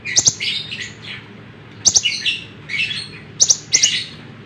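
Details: Lemon-bellied white-eye song used to train songbirds: groups of crisp high double chips followed by slurred warbling notes, repeated in three bursts.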